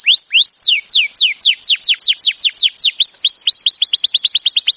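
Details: Canary training song: a fast, even string of bright slurred notes, each sweeping up and then dropping, about four a second. The notes grow quicker and tighter toward the end into a rapid chattering run. No background noise.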